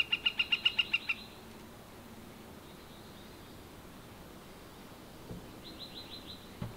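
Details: Northern flicker giving a fast, loud series of about eight ringing notes in the first second, then silence, then a fainter, more distant repeat of the series near the end with a few soft knocks.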